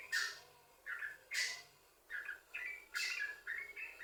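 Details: Yellow-vented bulbul song meant to prompt other bulbuls to sing: short bubbly phrases mixed with sharp, harsh bursts, in separated groups over four seconds.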